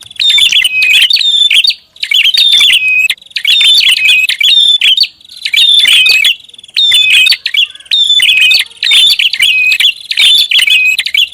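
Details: Prinia lure call, a noisy, busy recording: dense bursts of sharp high chirps and thin whistled notes come in rapid clusters about two seconds long. Short gaps separate the bursts through the whole stretch.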